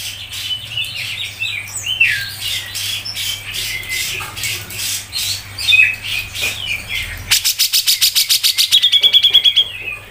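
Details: Grey-cheeked bulbul (cucak jenggot) singing a fast 'ngepik' tutor song for songbird keepers: wavering scratchy warbles for several seconds, then a burst of loud, rapid clicking notes followed by high ticks, over a low electrical hum.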